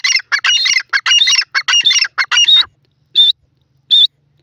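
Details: Loud calling of a grey francolin, the dakhni teetar: a rapid string of grating, squawky notes that stops abruptly, followed by two isolated clear whistled notes spaced nearly a second apart.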